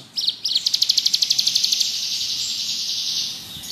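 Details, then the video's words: Ciblek gunung, the bar-winged prinia, singing in ngebrem style as tutor material. A couple of quick notes lead into a fast ticking high trill that blurs into a steady buzz and fades. "Burung ciblek gunung gacor ngebrem"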